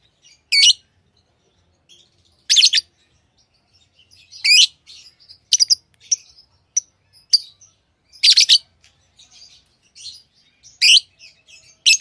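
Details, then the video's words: Pet lovebirds calling in sharp, piercing chirps roughly every two seconds, with bursts of soft twitter and rapid clustered notes in between. "Love birds Sounds | lovebirds chirping sounds| parrot beautiful sounds"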